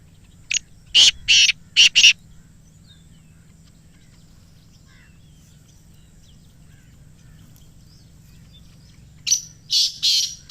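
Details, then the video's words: Black francolin (kala teetar) call from Islamabad, used to get captive francolins calling: two harsh, grating bursts of clipped notes near the start, a long silence, then another rasping group of three to four notes at the end. "Kala Teetar Ki Awaz | Black Teetar Voice"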